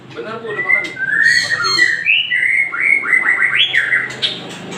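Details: White-rumped shama in a song stuffed with cililin imitations, used to provoke a reluctant shama into singing: a run of varied rising and falling whistled phrases over steady background hiss.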